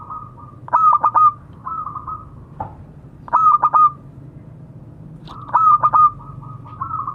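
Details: Local zebra dove calling to others, a frequent caller: clear mellow coos, each phrase a burst of three or four quick staccato notes followed by a soft rolling trill, repeated roughly every two and a half seconds over a faint low hum.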